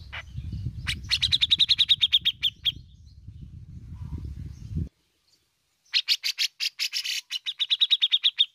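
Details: Bearded bulbul (cucak jenggot) singing energetically in besetan and ngepik styles: runs of sharp, rapidly repeated high notes in fast pulsed bursts, a brief pause, then more rattling trills, over low rumbling background noise in the first half.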